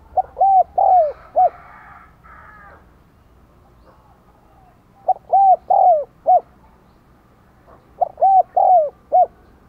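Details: Spotted dove kept as a decoy, 'đồng còi' voice, cooing to draw wild doves. Three even four-note phrases roughly four seconds apart, deep and rounded, with faint higher twittering early on.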